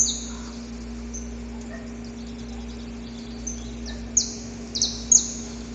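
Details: Wild male saffron finch in a predawn courtship song toward a female, dancing around her: faint high notes early, then a quickening burst of four piercing, descending notes near the end, with a constant low background hum.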